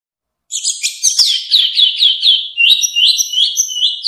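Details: Orange-headed thrush pouring out a continuous song for tutoring caged birds: a rapid series of short, similar upward-curving whistled notes, repeated about two or three per second, mixed with fainter high twitters.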